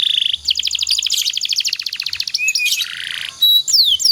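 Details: Domestic canary singing a master song for training other canaries: rapid trilled phrases of repeated high notes, a buzzy trill, then short whistled slurs and a descending sweep.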